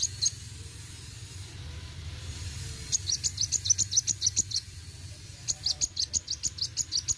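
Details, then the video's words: Sunbird (kolibri wuling) delivering rapid-fire roll tembak phrases: a lone chirp, a quiet gap, then two long runs of quick, high, ticking notes at a steady clip against faint background noise. "Kolibri Wuling Gacor Roll tembak"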